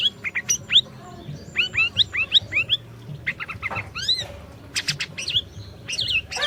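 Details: Lively Orange-bellied leafbird song played to coax a quiet bird into singing: quick bursts of sweeping, upslurred whistles and sharp chirps, delivered in irregular phrases with short pauses and bright buzzy flourishes.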